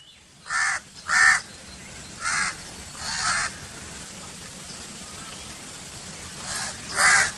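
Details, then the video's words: Crow cawing in short raspy bursts, a pair, then two more spaced about a second apart, a pause, and a final close pair, against a quiet background hiss. "Crow Calling Sound"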